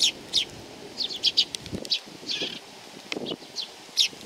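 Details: Sparrows gather for food at Tenmangu, Nakanoshima, 7 June 2020. Bright, high chirps and tweets are scattered irregularly, some in quick pairs. Faint rustles and a few low thumps sound in the background.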